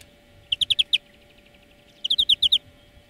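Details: European greenfinch song offered as a song lesson for training birds: two quick bursts of five or six bright, chirping notes in fast succession, about a second and a half apart, with faint softer notes between, over a low steady hum.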